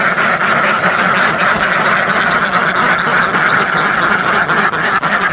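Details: Dense chorus of a duck flock of thousands, many quacks overlapping into a constant noisy chatter, with a brief dip in loudness near the end.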